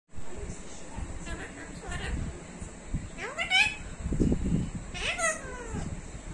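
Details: Pet talking parrot giving two bright, harmonic, speech-like utterances, each sweeping sharply up then sliding down, about two seconds apart, over steady low household rumble and a faint constant high hiss.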